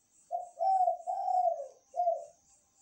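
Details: Night-time calling of a lively spotted dove: a single deep, slightly rough coo phrase, three linked notes falling away, then a short final coo, over a faint pulsing high buzz.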